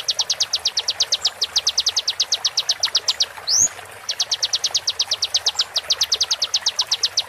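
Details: Konin tutor song with sharp shots for training birds: a rapid stream of high, staccato notes, a brief pause with one loud rising swoop near the middle, then the fast stream again.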